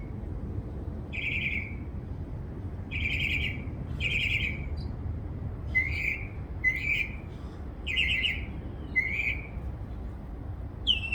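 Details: Backyard bird with more than 20 distinct sounds repeats short, buzzy, slightly falling chirps in irregular bursts roughly every one to two seconds, over quiet low background rumble.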